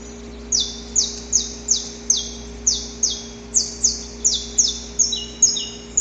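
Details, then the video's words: Male saffron finch in the wild at dawn, courting a female with harsh, extended song: around thirteen high notes, each sliding sharply downward, evenly paced, with some notes doubled by lower echoing sweeps near the end. "Canto Para Esquentar o Canário da Terra - Gravado na Natureza!"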